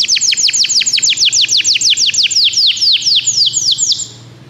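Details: Canary song used to prompt a pet canary into singing: a fast, steady run of loud high downward-sweeping whistled notes, about five per second, slowing slightly near the end before stopping.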